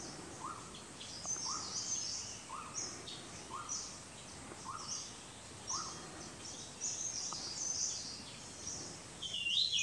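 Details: White-gorgeted flycatcher (Anthipes monileger leucops) at Doi Lang, Thailand, in February or March, sings thin, high twittering phrases with short rising mid-pitched notes about once a second over soft forest background.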